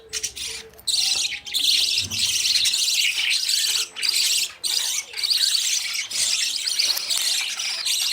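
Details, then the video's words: Budgie chicks following their parents for food soon after leaving the nest; steady shrill chirping chatter, swelling in long runs with brief breaks, and a faint low hum at the start. "Budgies babies running for food"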